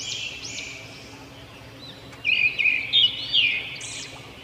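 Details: Robin chirping: short high arched and rising notes in a quick burst mid-way, with bright repeated chips, over steady background hiss and fainter chirps from other birds early on.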